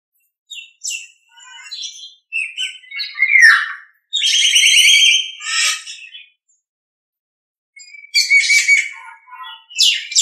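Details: Nias hill myna song for training other birds: loud varied phrases of bright whistles, harsh buzzy notes and chattering bursts, separated by short pauses, with a quiet gap before a final burst of rasping notes.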